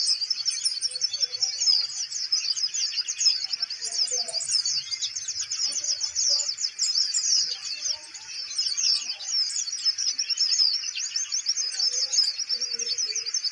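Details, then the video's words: Van Hasselt's sunbird, a kolibri ninja kept in a cage, sings on as the cage is handled, pouring out a dense, very high chattering warble of rapid squeaky notes that continues without a break. "konin mental bagus,kandang dipegang tetap bunyi"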